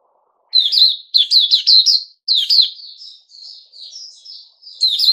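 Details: Caged Puteh Raja bulbul singing: bright chirpy phrases in quick bursts, each a run of three to four slurred warbled notes, then a softer rambling twitter, and a final loud burst at the end.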